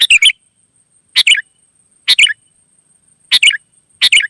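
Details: Wild sooty-headed bulbul in talkative 'gacor' singing that prompts replies: bright warbled phrases of two to three notes spaced roughly a second apart, each falling at the close, with a faint continuous high tone.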